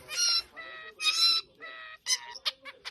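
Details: A weird, funny-sounding bird giving a run of harsh, nasal squawks in short bursts, each rich and buzzy, followed by a few quick clipped chirps.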